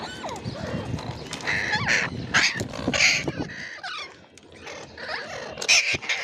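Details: A rose-ringed parakeet gives a busy run of harsh squawks, chatters and short whistled notes, with faint household knocks and background noise.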